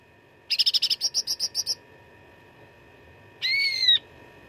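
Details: Fighting song of a cucak ranting, meant for tutoring contest birds: a rapid run of about ten bright, clipped notes, a silence, then a sustained harmonic whistle bending gently downward.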